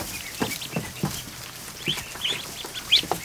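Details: Newly hatched ducklings, more than a hundred, crowded in a kiddie pool inside a barn one afternoon. Thin, arched peeps sound a few at a time, mixed with soft thumps and dabbling water.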